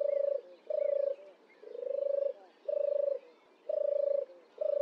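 A turtle dove gives a deep, vibrating purr, six rolling 'turrr' notes about one per second, while faint thin whistles from other birds sound in the background.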